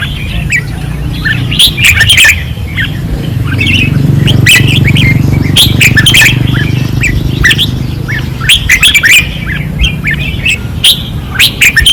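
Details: Fierce singing from caged red-whiskered bulbuls on a Pattani training perch, 2024: repeated clusters of bright, bubbling whistled notes, crowded at the start and end, with a low hum swelling in the middle.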